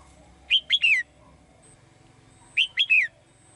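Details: Singing to call the male, a caged female bird gives two crisp phrases of three high, falling whistled notes about two seconds apart, with faint low background noise.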